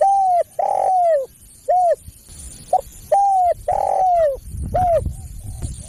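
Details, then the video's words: Spotted dove coos meant to draw in other doves: long falling coos and short clipped notes in two phrases, with low rumbling noise toward the end. "SUARA PEMANGGIL BURUNG TEKUKUR"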